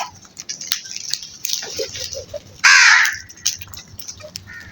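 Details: Flock of crows; one loud, harsh, hoarse caw rings out just before the three-second mark, with fainter scattered clicks and rustling around it.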